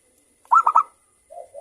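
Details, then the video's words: Local zebra dove song used as a lure to get another bird singing: three quick bright coo notes in a tight burst, then a low soft purr. "Perkutut Lokal Gacor Suara Rame saling Bersahutan Pancingan Merangsang untuk Cepat BUNYI."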